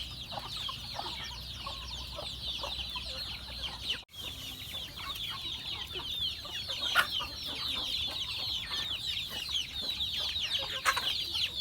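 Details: Feeding chickens on a farm: overlapping high chirps and peeps run throughout with occasional lower clucks, briefly cut by a sudden near-silent gap partway through before the chorus resumes.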